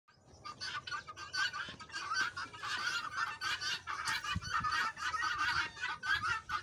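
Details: Guineafowl on a farm, a flock calling together in a dense, harsh, rasping chorus of rapid cackling notes, several per second, overlapping continuously with little pause.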